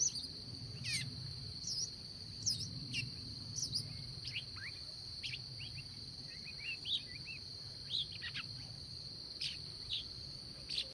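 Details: Bird singing early in the morning: thin, scattered high chirps and short upward flicks, quiet and spaced irregularly, over a steady high-pitched whine and a soft low rumble.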